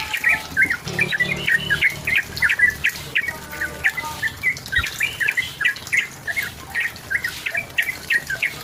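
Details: Yellow-vented bulbul singing energetically to pressure and provoke a rival. Bubbly, rapid warbled phrases tumble continuously over a low background hum.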